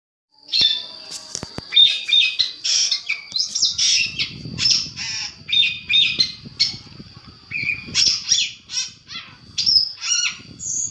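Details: Long-tailed shrike calls used as a training recording to provoke replies: harsh, scratchy, rapidly varied chattering phrases in quick succession, with a thin steady high whine running underneath.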